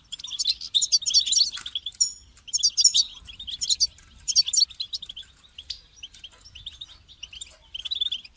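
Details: European goldfinch singing, played to get a caged bird singing; dense, rapid twittering runs of high chirps in long phrases, broken by brief gaps and a few thin drawn notes.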